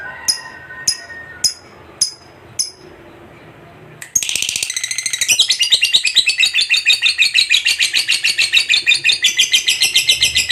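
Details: Lovebird kept for bird contests: a few sharp clicks at first, then a long, fast, shrill chattering song of rasping notes that continues without a break.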